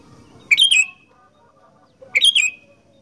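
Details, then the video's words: Sooty-headed bulbul singing in the "gacor fighter" style, two quick warbling phrases with a bubbly, slightly falling tone, separated by about a second and a half, over soft background hum. "Burung Kutilang Gacor Fighter"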